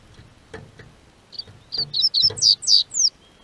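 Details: Double-collared seedeater singing as spring warms southern Brazil: soft clicks and taps, then a rising series of about eight sharp high whistled notes, growing louder toward the end.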